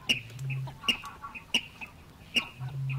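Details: Water Rail in the reed beds of Matsalu, USSR, field recording released 1979: sharp, clicky single notes given at uneven intervals, about four in three seconds, with a low droning hum coming and going underneath.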